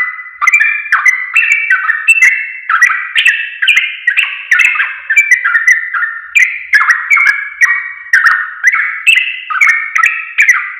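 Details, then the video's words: Training song of a sooty-headed bulbul for tutoring caged birds: continuous mellow, liquid whistled phrases, each a quick up-and-down flourish, tumbling over one another in a steady, rhythmic stream. "Masteran Burung Trucuk Paling JOSS"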